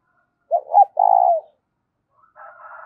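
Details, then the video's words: Loud spotted dove coo for rousing decoy birds: two short hoots run into a long purring note, followed by a softer, higher buzzy call near the end. "tiếng cu gáy kích bổi mỗi ngày giọng to rõ ít tạp âm"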